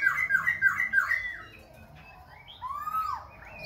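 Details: Khe Sanh laughingthrush singing and dancing, shifting voices continuously: four quick, identical downslurred whistles in a row, a pause, then a rising-and-falling whistled phrase with thin high notes.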